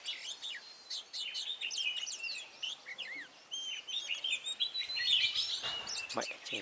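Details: Red-whiskered bulbul used as a decoy in trapping on 23 March 2018, singing to fight: dense, fast runs of sharp warbled notes and looping whistles, several birds overlapping, with a few soft knocks near the end.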